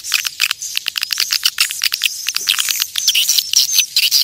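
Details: Natural recording of swiftlets giving the call used to attract them: a busy chorus of quick, high, clicky chirps packed closely together, with thin drawn-out whistled notes riding above in the second half.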